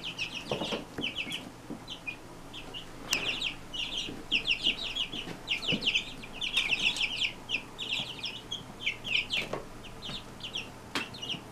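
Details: Brood of Brahma chicks from a single hen giving many overlapping high peeps in bursts, with scattered tapping and knocking sounds in the background.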